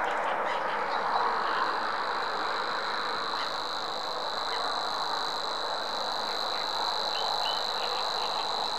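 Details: Savi's warbler singing a continuous, even, buzzy reel held at one mid-high pitch throughout, with a dense hissing background chorus and short chirps from other birds.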